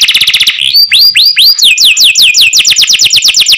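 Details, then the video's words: Canary in cenkok song: a short fast trill, then several rising arched whistles, followed by a steady series of repeated downward-sweeping notes, loud and clean. "CENKOK CANARI SOUND, CLEAR SOUND"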